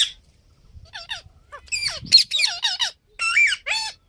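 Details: Parrot chattering in a jumble of squeaky, wavering notes and harsh squawks, some dropping in pitch, delivered in a lively irregular stream.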